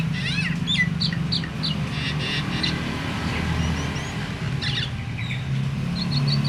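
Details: Myna whose voice is used to spur other mynas to sing: a lively opening of squeaky chattering notes, a quieter stretch with thin upslurred whistles, then more scattered short calls, above a continuous low drone.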